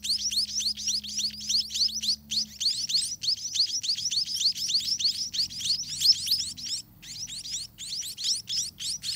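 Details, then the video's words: Spotted munia nestlings, grown and eating more often, beg for food at the nest: dense run of thin, upward-sweeping squeaky chirps, several per second, almost unbroken for nine seconds, low hum in the background early on. "Hungry Spotted Munia Baby Eat All Day"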